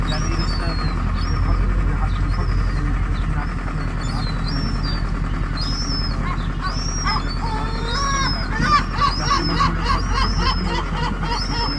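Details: Young gulls in Rome, Italy, crying to be fed: thin, high, whistled cries that rise and fall, repeated rapidly and overlapping from several birds, over a constant low rumble of city traffic.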